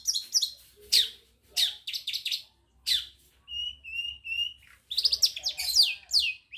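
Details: Madura long-tailed shrike singing with imitations of other birds: varied sharp chirps and downslurred notes, then a series of steady high whistled tones, followed by a rapid mixed flurry of high notes.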